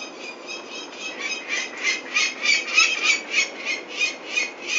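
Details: Peregrine falcon at a Venlo nest site on 21 May 2024, as chicks are collected for ringing: a steady series of rasping kek notes, roughly three per second, swelling louder toward the middle.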